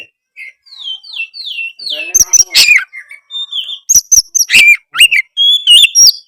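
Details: White-rumped shama song intended to get another shama answering: a series of soft falling whistles, then loud varied clicks, buzzy notes and ringing whistled phrases.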